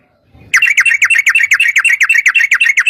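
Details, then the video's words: Sooty-headed bulbul giving a long 'ropel' roll, recorded as a lure for other bulbuls; after a short pause, a rapid unbroken string of bright, slurred chattering notes, about seven per second, loud and continuous. "trucukan gacor TARUNG ROPEL PANJANG pancingan trucukan agar bunyi jadikan burung trucuk gacor NYAUT"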